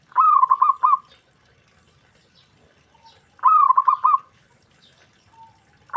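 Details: Perkutut or zebra dove calling, a bird said to prompt instant replies from other doves; two rolling coo phrases about three seconds apart, each a slurred lead note then rapid pulsed beats, with a third starting at the end.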